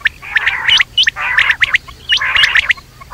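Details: At night, quail give quick sharp clicks and high upswept notes over scratchy churring phrases in two main bursts.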